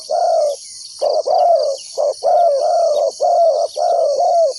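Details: Spotted dove calling as a decoy for trapping wild doves. A near-continuous string of low, soft coos comes in doubled bursts with barely a pause, against a steady shrill insect buzz.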